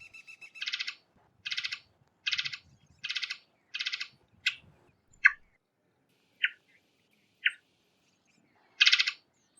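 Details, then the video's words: Varied thrush: a run of five grating, buzzy rasps at even spacing, then several lone sharp chips spaced about a second apart, and one final rasp. "Varied Thrush Call - Varied Thrush Call Sounds - Varied Thrush Bird Call - Varied Thrush Chirp"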